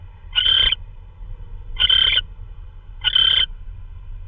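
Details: Owl delivering a possible vole at 3:12 AM, March 16 2013. Three rough, breathy screeches, each under half a second, follow one another at about 1.3-second gaps against a faint low hum.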